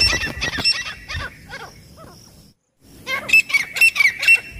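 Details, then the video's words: Francolin calling as a hunting lure: harsh, rasping notes repeated in quick bursts, a short pause, then louder scratchy phrases return, with a steady thin high tone running underneath. "एक बार मे दश तितर आनेवाला आवाज़ | The sound of two partridges coming at once | francolin calling"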